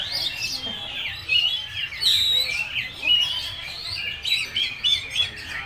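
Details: Oriental magpie-robin, locally kacer, singing "full materi": clear thin whistles mixed with rough, scratchy notes in short repeated bursts.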